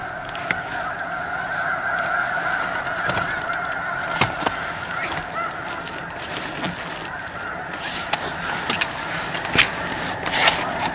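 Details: A few thousand migrating snow geese east of Edmonton, spooked off a pond and flying laps: a steady, massed clamour of overlapping nasal calls, with scattered clicks and short noisy bursts.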